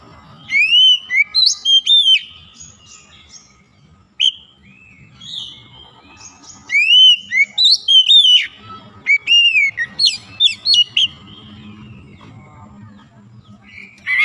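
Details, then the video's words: Oriental magpie-robin (kacer) song, for reviving a bird that is lazy to sing: loud bursts of clear whistled notes with rising slurs and a few harsh chips, a pause of nearly two seconds, then more rapid varied phrases. "KACER YANG MALAS BUNYI JADI GACOR"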